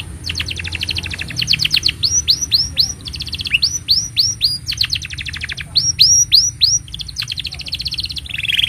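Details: Persistent canary song for tutoring young canaries and enticing quiet birds to sing: dense rattling trills alternate with series of loud downslurred whistles, repeated throughout, ending in a buzzy lower trill, with a constant faint high tone behind.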